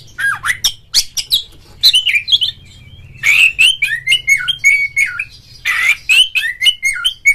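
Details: Oriental magpie-robin (kacer), a kept bird, in a recording used as a lure to provoke rival singing and tail display: long sequence of sharp chips and rising-falling whistles, nearly continuous, over a faint low hum.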